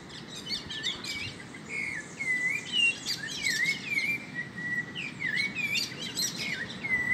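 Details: Great kiskadee in a backyard, feeding on insects among other free birds, giving short, bright, upward-hooked notes every second or so over a busy chatter of high chirps from other birds.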